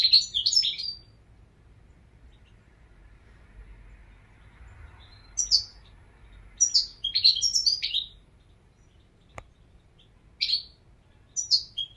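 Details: Short bright chirps and twittering bursts from a European goldfinch, spaced irregularly over twelve seconds with quiet gaps between. A sharp click breaks in near the middle.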